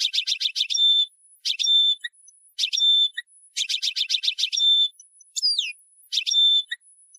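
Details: Old tarqa-style song from a Tunisian goldfinch: rapid bursts of sharp, rattling trill notes, each run ending in a held high tone, with one falling whistled slur near the end.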